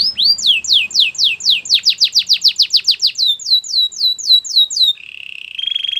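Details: Belgian canary song for training: a long accelerating run of downward-swept whistled notes, very rapid in the middle, slowing toward the end, then a low smooth rolling trill.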